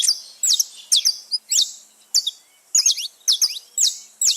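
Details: Wild saffron finches free in nature in a lively chorus: crisp high chirps repeated about twice a second, each a sharp downward flick, with short gaps between clusters.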